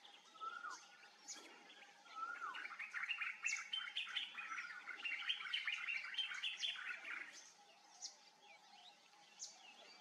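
Brahminy kite chicks give thin, high chittering calls in dense overlapping bursts, with a few short falling whistled notes.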